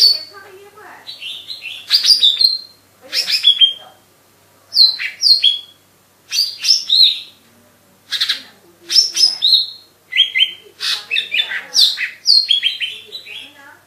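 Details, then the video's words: Lesser green leafbird pouring out a long varied song of high whistled and slurred notes, delivered in about a dozen short, bright phrases with clean gaps between them. "GACOR SI BURUNG COCAK IJO MINI"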